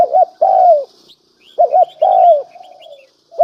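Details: Spotted dove decoy calling: a quick doubled low coo, then a longer falling crooo, repeated about every one and a half seconds, with faint high chirps of other small birds behind.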